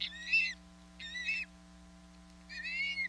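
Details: Musical whistled calls from a female osprey at a Hog Island nest, 27 April 2022, summoning her fish-bearing mate: three half-second bursts of upslurred, harmonic-rich whistles about one second apart over a constant low hum.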